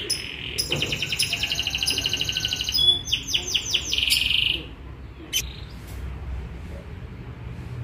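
A young canary sings a bright, high string of fast trills and rolling chirps for about four seconds, then falls quiet over a low background hum.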